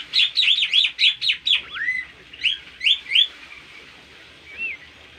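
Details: Bimoli bird's melodious masteran training song, lively and full: a fast burst of loud, sharp chirped notes, then a few spaced rising-falling whistles and a soft final slur.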